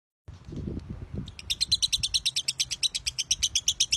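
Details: Champion lovebird singing its long drawn-out 'narik panjang' song, kept as a tutor recording. Low rumbling noise first, then a fast run of sharp, high, evenly spaced chirping pulses, about five per second, continuing steadily.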